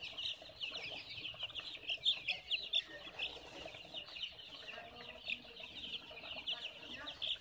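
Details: High-pitched cheeping from baby chickens, many thin, sharp peeps in quick irregular succession, over two per second, with a few louder chirps standing out above the constant chatter.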